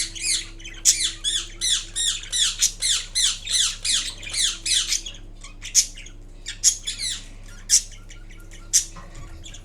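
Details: Indian ringneck parrot, kiwi green colour, murmuring while napping indoors: a rapid run of repeated harsh, curving chatter notes for about five seconds, then sparser squeaks and clicks over a faint electrical hum.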